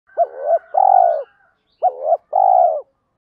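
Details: Spotted dove coo used as a lure to provoke wild birds into cooing back: two phrases, each two quick looping notes then a longer drawn-out coo, with a faint high hum over the first phrase.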